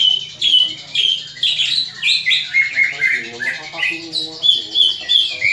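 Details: Fighting call of a greater green leafbird, used to stir the fighting spirit of other leafbirds; loud, rapid sequence of squeaky whistles and rough slurred notes, rising and falling, roughly two to three bursts per second over a faint hum.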